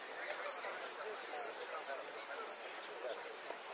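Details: Saffron finch (Sicalis flaveola), called jilguero, singing a song of golpes, pitadas and prio: rapid strings of very high, thin chipping notes with sharp down-slurred whistles inserted about every half second, over a soft hiss.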